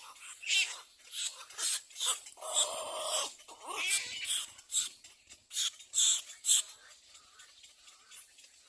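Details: Little egret chick at its second nest, biting its mother for food while begging: harsh, rasping squawks in rapid uneven bursts, roughly two per second, with one longer nasal, harmonic squawk midway.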